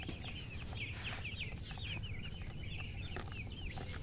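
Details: A crowd of young chicks keeps up nonstop high-pitched chirping, the bright flicked peeps tumbling over one another in an even stream, with low background hum underneath.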